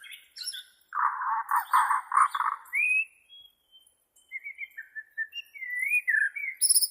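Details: Bornean White-rumped shama, a recording for training captive birds: a dense buzzy churring phrase, then a pause, then a run of clear, slurred whistles rising and falling, with high thin notes above.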